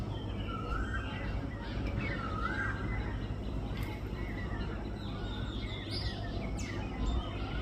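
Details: While feeding, a rufous treepie gives a few sliding, curved phrases, with faint high chirps nearby and a constant low rumbling background noise.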